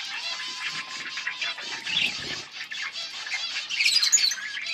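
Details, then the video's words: Budgies, pet parakeets recorded August 19, 2024, chattering and chirping in a continuous soft warble, a long steady whistled tone running beneath the first half, and sharper chirps toward the end. "Budgies chirping and singing Parakeet talking"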